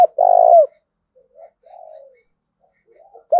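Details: Spotted dove cooing, recorded as a lure to draw wild birds. One long, mellow, even coo ends with a downward slur. Fainter, softer coos follow, and the start of another phrase comes at the end.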